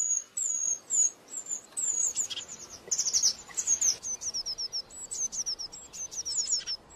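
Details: Lively high-pitched Eurasian blue tit singing: mixed whistles and buzzy notes, then rapid trilled runs of short descending notes repeated several times.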